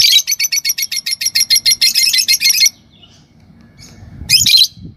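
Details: Pair of normal green Fischer's lovebirds chattering in a long, steady series of shrill, high chirps, about six per second, then a brief quiet gap and one harsh rising squeak.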